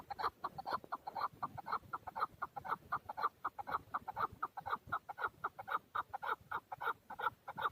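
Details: Male chukar partridge in Darvoz, Tajikistan, 2020, giving a long, steady series of loud, hoarse clucking chuk notes, about two per second, each with bright overtones, continuing without pause.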